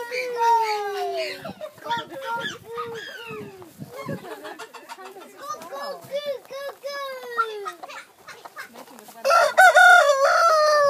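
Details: Rooster at Ambury Farm Park, live. A long, drawn-out crow opens, followed by a run of short arching clucks and calls from several fowl. A loud, harsh burst comes near the end, with faint voices in the background.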